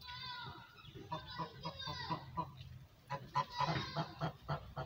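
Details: A goose quacking and chattering as it talks to its owner: a run of short, nasal, harmonic honks repeated in quick bursts, with a pause near the middle, then more clipped calls; faint background noise.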